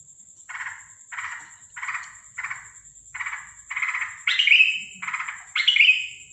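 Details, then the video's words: Sooty-headed bulbul calling at night on 13 December 2023, an unusual call: harsh raspy bursts repeated about every 0.6 seconds, later joined by louder rising-then-falling squealing notes, over a steady faint high background whine. "Burung Trucukan bersuara aneh dimalam hari"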